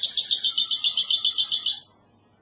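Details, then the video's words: Goldfinch hybrid delivering a fast, dense, high trilling burst of classic Andalusian song lasting nearly two seconds before ending abruptly. "CANTO MIXTO PEPEGRANADA تغريد هجين الحسون الإسباني"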